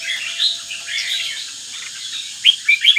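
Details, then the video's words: Red-whiskered bulbul from the north, a caged 'lân tê mặt quỷ' bird starting its third moult in Ninh Bình, sings soft chattering phrases ending in a few sharp, rising whistled notes, with constant hiss behind. "Chào mào bắc, lân tê mặt quỷ"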